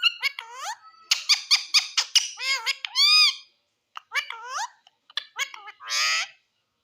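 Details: {'caption': 'Indian green ringneck parrot chattering in speech-like pulses, a steady string of short high syllables ending in arched notes, then more chatter and a rasping burst.'}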